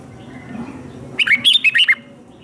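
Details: Red-whiskered bulbul in captivity delivering a brief fighting-song phrase for training: six punchy, slurred whistled notes in quick succession, up-and-down in pitch, with soft room noise before.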